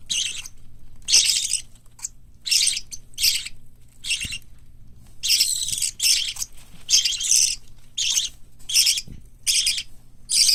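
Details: Cockatiel, budgerigar and white lovebird chicks raised indoors for hand-taming: a long run of scratchy, high shrieks, some bursts doubled or stretched, separated by short silences, irregular pacing over ten seconds.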